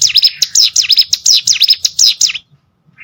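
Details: Cigun, or prenjak gunung, the hill prinia, in master audio for competition birds: a quick burst of about eight loud, sweeping down-and-up notes lasting two seconds, then silence and a faint higher note.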